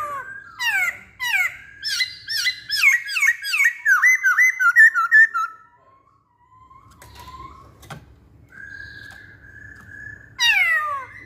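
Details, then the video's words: Masked laughingthrush delivering a rapid run of loud whistled notes, each sliding downward, repeated about three times per second for five seconds, then a pause with a faint steady tone before another loud descending whistle. "Burung Poksay Hongkong Gacor"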